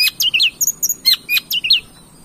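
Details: Long-tailed shrike song used as a lure for singing: a lively jumble of squeaky, slurred high notes, some falling and some rising, delivered in quick succession.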